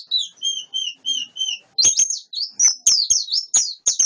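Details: Wild-caught white-eye gives a row of clear, evenly spaced whistled notes, then breaks into a quicker, busier twittering warble punctuated by clicks.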